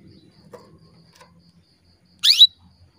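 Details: Female canary calling to stimulate males into breeding condition: a single sharp, upswept high chirp after quiet, faint low murmurs before it.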